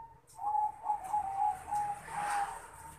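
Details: Male zebra dove, a Bangkok crossbred perkutut, calling to a rival: a soft run of short cooing notes at an even pitch, strung into a stuttering phrase over a hissy background.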